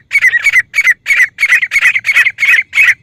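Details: Female grey francolin calling, a sound used for hunting: loud, harsh, ringing notes in bursts of two or three, repeated about three times a second in a steady rhythm.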